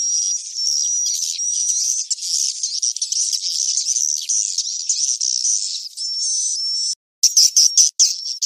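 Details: Swiftlet roosting sound used to lure birds for nest farming, cave-type recording: dense, continuous high twittering with thin whistled streaks and buzzy chatter, briefly cut off near seven seconds.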